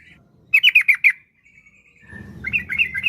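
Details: Yellow-vented bulbul (trucukan) lure song: a short burst of five sharp, bright chattered notes, a faint thin trill, then softer warbling notes over low background hum.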